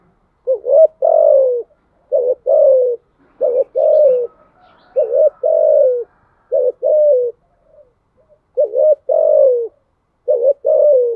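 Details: Spotted dove giving thúc gù style coos: six low phrases, each a quick wavering lead-in note followed by a longer, gently falling coo, spaced one to two seconds apart.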